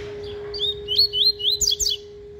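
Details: Tui tui song of a caged double-collared seedeater warming up, a fast phrase of clear slurred whistles rising to sharper high notes, delivered in about a second and a half over a steady hum.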